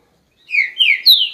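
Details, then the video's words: Whistled song of a green-winged saltator, three smooth descending slurred notes in quick succession, the last rising higher before falling, ending in a sharp click. "TRINCA FERRO"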